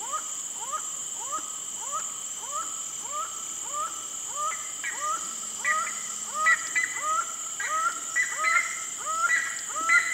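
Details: Laughing falcon, known locally as acauã, giving a fast run of short arched, slightly rising notes, about one and a half per second, swelling louder toward the end over a steady high insect hum.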